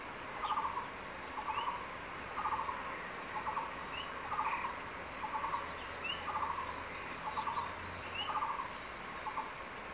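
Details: Male crested goshawk near the nest in secondary forest calls his mate to come eat a tree lizard. Ten rhythmic chattering bursts arrive every second, while another bird gives repeated short rising whistles higher up.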